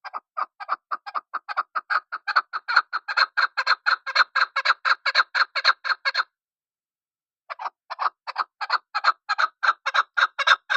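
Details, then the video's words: Chukar partridge in a long burst of evenly paced, raspy chuck notes for six seconds, a pause of about a second, then the clucking series resumes. "chakor ki khobsort awaz.. sound of keklik.ses sound.. sadaya kabak.. sawtul hijal..desi chakor"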